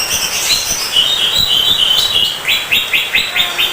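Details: Greater green leafbird, a songbird kept by hobbyists, singing a busy run of high chirps and whistled notes, then a series of quick rising slurred notes repeated about every quarter second.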